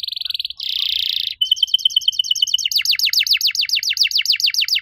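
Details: Active riwik canary with cuit cuit song: a buzzy high note, a harsh rasp, a rapid chip series, then a long run of fast downward-sweeping trilled notes.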